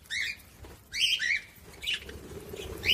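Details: Budgerigar chirping meant to stimulate other budgies: a series of short, rising, slightly buzzy chirps in clusters, with quiet gaps between them.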